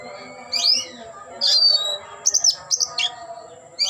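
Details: Oriental magpie-robin (kacer) displaying with tail spread, singing a rising whistle followed by harsh buzzy bursts and a rapid string of sharp chips, over a soft background hum.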